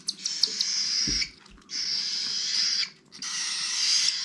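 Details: Cockatiel chicks begging for food during hand-feeding in 2021 give three drawn-out, grating rasps, each over a second long, with quiet gaps and a dull knock between.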